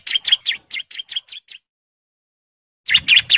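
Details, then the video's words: Male bar-winged prinia in breeding condition calling females: a short run of quick chirping notes, a silent gap, then three louder chirps. "CIBLEK JANTAN BIRAHI GACOR NGEBREN MANGGIL BETINA KOLONI"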